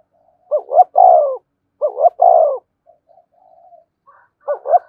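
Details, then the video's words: Spotted dove decoy bird cooing to stir a newly caught caged bird: two low, mellow, throaty coo phrases, each a quick double note then a longer falling coo, about a second apart, with a faint third phrase at the end. "Tiếng chim cu gáy kích bổi nhanh nổi, cu gáy mồi luyện bổi thúc sung nhất hiện nay"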